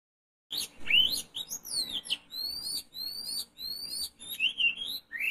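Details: Oriental magpie-robin, a bird being lured for trapping: a dense run of varied, loud whistled phrases with sweeping rising and falling notes and sharp chirps, delivered in quick bursts with short pauses between them.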